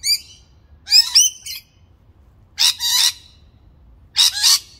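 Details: A rainbow lorikeet having breakfast gives harsh, shrill screeches and chattering squawks in short bursts about every second and a half. Little else is heard.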